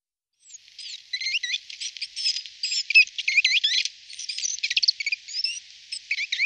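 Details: Great tit (Parus major), call.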